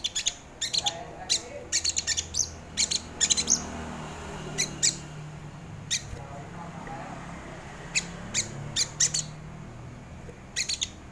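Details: Crimson sunbird used as a lure and master sound for training cage birds: sharp high ticking chips in clusters of two to four, spaced by brief pauses and quieter faint background hum.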